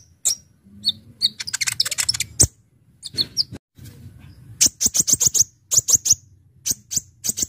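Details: Brown-throated sunbird delivering fast, sharp song for bird luring: busy twittering, then a pause and a long series of crisp high chips repeated in quick succession, with low background hum.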